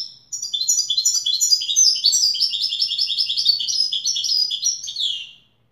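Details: European goldfinch giving a continuous five-second Wedani song, a rapid chattering of high, ringing and slightly buzzy notes repeated in quick succession.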